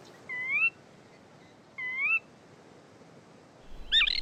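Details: Gray Catbird mimicking other species, including a sora rail, western wood pewee, Wilson's snipe and Pacific tree frog: two clear, slurred rising whistles about a second apart, then a brief jumbled burst at the end.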